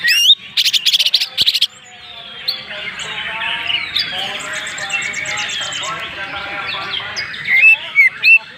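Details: Genuine Banyuwangi greater green leafbird, Indonesia, in rich filled song: opening bursts of rapid buzzy trills, a long softer tangle of warbling and chattering, then sharp emphatic whistled notes near the end.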